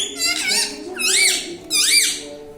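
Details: A pet parrot talks indoors, giving three shrill arched squeaky syllables roughly half a second apart over a steady low hum and murmuring background voices.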